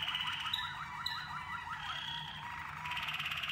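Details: During song training, Waterslager canaries deliver rapid rippling, bubbling notes in quick descending and rising loops, then two clean high whistles, ending in a buzzy rolled trill.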